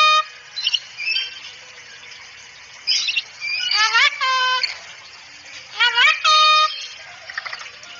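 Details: Cockatoo calls on a training recording meant to make a cockatoo talk fast and chatty: scratchy chatter, then loud harsh rising squawks that level into a held nasal tone, near 4 and 6 seconds.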